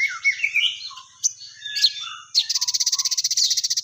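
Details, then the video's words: Crested jay (sogon), a lively singing bird: jumbled high chirps and squeaky notes, then a steady rapid rattle of buzzy pulses, about twenty per second, lasting over a second. "Burung Sogon Gacor"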